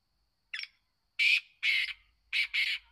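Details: Black francolin (kala teetar), a kept bird, calling: a short rasping lead note, then two loud harsh grating notes and, after a brief pause, a closely linked pair of similar notes; background otherwise quiet.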